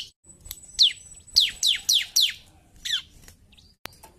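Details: Lively bar-winged prinia song made of loud, high whistled notes that sweep steeply downward. They come in an uneven run of five or six, then a softer trailing note, over a thin constant high tone.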